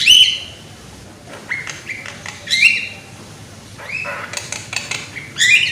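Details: Young Javan myna with a loud voice, used as a lure recording to prompt other mynas into full song: harsh, buzzy squawks alternating with short whistled slurs and clicks, in bursts separated by quiet gaps.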